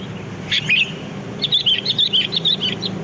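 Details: Wild sooty-headed bulbul song used as a lure for trapping: one short fluty phrase, then after a pause a lively run of chirpy whistled notes rising and dipping in quick succession.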